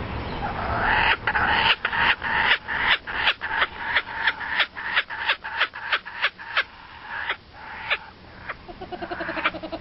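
Laughing Kookaburra giving its raucous laugh: harsh, cackling hoots, about three a second, uneven and rising in intensity, ending in a fast rolling chuckle.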